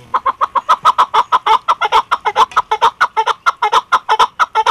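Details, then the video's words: Female chukar partridge calling: a steady run of loud, clucking chuk notes repeated about six times per second without a break. "keklik sesi chakor birds voice awaz sound"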